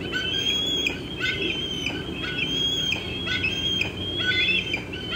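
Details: Bald eagle chick near its nest box in late afternoon, June 25, 2013, with an adult eating fish in an old tree; repeated level high-pitched whistled squees, roughly one per second, over steady low noise.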